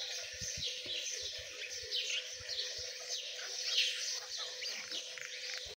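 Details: A brood of Dakani teetar partridge chicks cheeps continuously in high, thin, overlapping notes. Scattered soft low thumps and a steady background hum are also heard.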